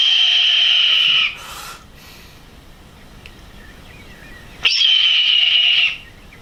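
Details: Red-tailed hawk (Buteo jamaicensis) giving two hoarse, drawn-out screams, each over a second long, high and raspy and easing downward at the end, with a quiet gap between.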